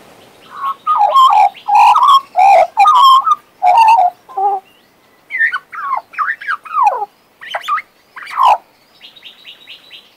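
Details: Pet male Western Australian magpie carolling: rapid bursts of rich, wobbling whistles in the first half, then thinner, higher slurred and chattered notes, closing with a soft buzzy series.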